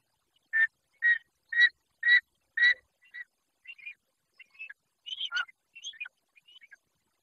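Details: Long-legged buzzard chick at its nest in Israel, captured close up by a raptor nest camera: five loud, evenly spaced squealing calls about half a second apart, then softer, broken chirps and thin squeaks.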